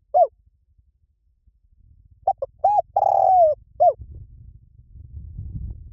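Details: A lone short falling coo, then a 'Liu Tan' style Spotted dove phrase for training a dove to answer: two clipped notes, an arched coo, a long level coo dropping at its tail and a final short note, followed by low rumbling noise.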